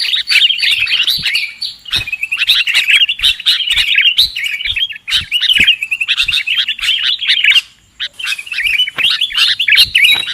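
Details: Sooty-headed bulbul lure for trapping birds: bursts of rapid bubbly chatter and chirps, broken by short pauses, with one clear silence near the eighth second.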